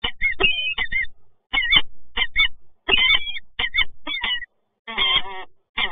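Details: Resident peregrine falcons meeting in Toruń on 26 August 2022: harsh, ringing calls in irregular bursts, some broken into rapid chattering notes, with short pauses between outbursts.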